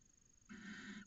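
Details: Barn owl inside a nest box in Cabañeros National Park, Spain, late January, where a pair was copulating early in the season; a single harsh, raspy hissing burst of about half a second rises out of quiet background hum.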